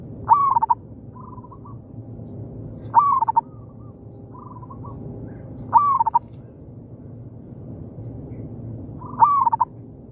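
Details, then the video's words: Local zebra dove in an oil palm plantation answering a decoy bird: four loud cooing phrases, each a sharp rising note followed by quick stuttering coos, with softer answering coos between them over a steady low background hum. "merdunya suara perkutut lokal di kebun sawit,bersahutan dengan pikat"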